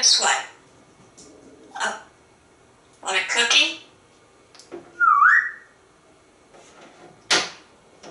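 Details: Pet African grey parrot indoors in a Texas home, repeatedly asking for a cookie, a salt-washed wheat cracker; breathy spoken-word bursts every second or two, a clear rising whistle near the middle, then a final sharp burst.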